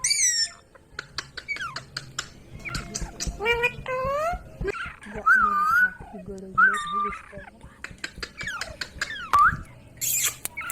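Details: Ringneck parrot talking: a string of speech-like syllables with stacked harmonics, mixed with clear whistled notes that slide and level off, plus short clicks, in a small indoor room.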